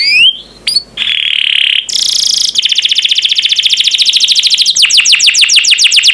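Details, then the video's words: Champion canary singing on a training recording: short whistled upslurs, a sustained bright buzzy tone, a harsh loud burst, then a long even roll of fast descending notes that slows into wider sweeps. "MASTERAN KENARI JUARA ‼️DIJAMIN BURUNG ANDA LANGSUNG NYAUT DAN GACOR"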